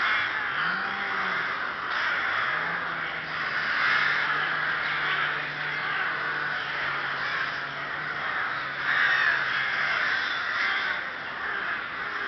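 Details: Rooks at a colony on the Ptačí ostrovy nature monument, Chrudim, Czech Republic, recorded 30 May 2011: a ceaseless chorus of coarse, croaking caws, joined by a low droning hum that rises and holds for several seconds.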